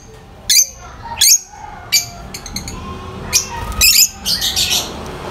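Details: A few high, thin lovebird chirps spaced about a second apart, followed by softer scratchy squeaks over a faint background hiss.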